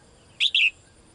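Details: Female bird calling the male, as it does daily: a single bright high chirp in two parts, a brief note and a longer slurred falling note, loud against a quiet background.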